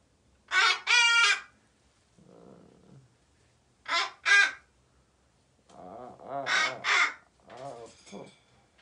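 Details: Pet parrot that got out to wake its late-sleeping owner, who stayed home from work: loud harsh squawks in close pairs, repeated three times, with low muttering sounds between bursts and a person's voice nearby.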